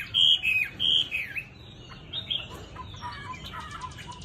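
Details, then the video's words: Tame Chinese hwamei singing: loud clear whistled phrases sliding down in two bursts, then softer, scratchier twittering notes with a faint repeated chip near the end. "Mi thuần DV6969 NÉT HOẠ ĐẸP GIỌNG CA HAY"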